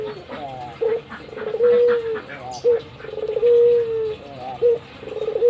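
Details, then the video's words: Kept albino Barbary dove giving its nodding coo, each phrase opening with a brief gruff note and drawing out into a steady, low, gently descending purr, three phrases in quick succession. "Burung puter Albino saya gacor manggut"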